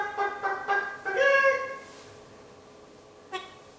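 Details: A one-year-old pet eclectus parrot, kept indoors, clucks like a chicken in four quick throaty bursts, followed by quiet and one short final note.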